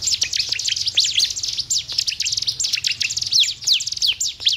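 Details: Song of the Sunda warbler, used to stimulate caged birds to sing; loud, busy high chirping packed with quick rising and falling sweeps, almost without pause.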